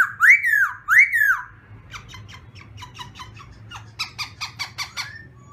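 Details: Black-throated laughingthrush in morning song practice. Two loud arched whistles come first, then a fast train of harsh, rattling notes that ends in a series of sharper chips, against a low steady hum.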